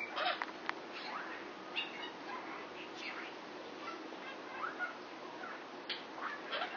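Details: A six-year-old male Indian ringneck (rose-ringed) parakeet, flirting with a neighbouring female Quaker parrot, makes soft, scattered chirps, squeaks and mumbling chatter at an uneven pace over a hissy indoor background.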